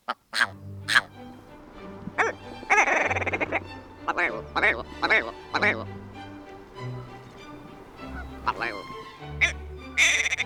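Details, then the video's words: North American willow ptarmigan giving harsh, rattling, staccato outbursts in uneven bursts, sounding like indignant grumbling, as if he just spilled hot coffee in his lap, over a soft music bed. "Willow Ptarmigan sounds like he just spilled hot coffee in his lap."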